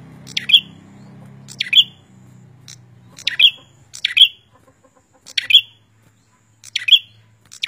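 A prinia repeats sharp, high, clipped notes in short bursts about every second and a half, with a low rumble underneath at the start.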